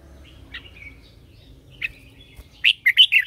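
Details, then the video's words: Lure red-whiskered bulbul in morning song, used to call other bulbuls and spur them to sing. Sparse soft chirps, then a loud run of three or four bright warbled notes at the end. "Chào mào mồi hót gọi bổi"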